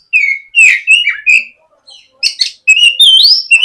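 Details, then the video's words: Morning lure song of a White-rumped shama to make a young bird sing: loud whistled phrases with sliding notes, a short gap, then high chips and an upward-gliding whistle. "SUARA PIKAT BURUNG KACER GACOR NGEPLONG MEMANCING KACER BAHAN AGAR LEKAS BUNYI & GACOR"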